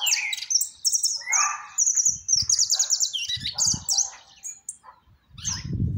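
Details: Saffron finch singing: high, thin twittering phrases and buzzy trills repeated in quick bursts, with brief lower chirps and low rumbling noise at moments.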